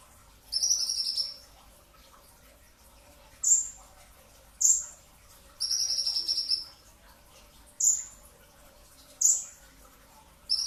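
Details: Pre-dawn bursts from a brown-throated sunbird, in a dense song style. Two long, high buzzy trills are interspersed with five sharp, piercing downslurred notes spaced one to two seconds apart.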